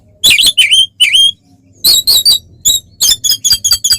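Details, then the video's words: Oriental magpie-robin fighting song to provoke rival birds: harsh buzzy whistled bursts in clusters, then a quickening series of short rasping notes. "SUARA BURUNG kacer gacor NGEPLONG TARUNG konslet paling AMPUH buat PANCINGAN KACER agar EMOSI"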